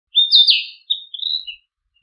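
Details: Narcissus flycatcher song: a loud, slurred whistled opening that sweeps down, followed by a few softer short notes fading out, all within about a second and a half on a silent background.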